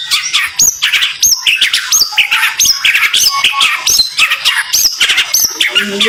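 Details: White-rumped shama (murai), rapid song for training: piercing upswept whistles repeating roughly every half second amid rapid chattering, loud and continuous.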